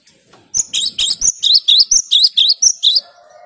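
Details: Cinereous tit (gelatik batu or wingko), a loud, clear 'gacor' song meant to provoke rival birds: about eleven high, rising two-part whistled notes in quick succession, ending in a soft low hum.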